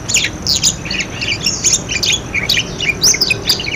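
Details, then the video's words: Busy budgerigar warbling played to coax silent budgerigars into calling: continuous overlapping squeaks, chirps and short rasping notes with no pause. "suara parkit buat pancingan parkit macet bunyi"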